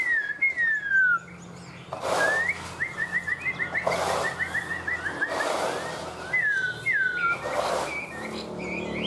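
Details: Tame Chinese hwamei in a cage singing descending whistles and a quick run of chirping notes, interrupted by repeated bursts of rustling or handling noise.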